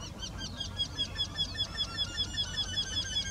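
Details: Eurasian wryneck singing, one of two birds in the same tree in Sweden: a steady, rapid string of nasal, slightly downslurred notes repeated about six times a second throughout, with a low rumble in the background.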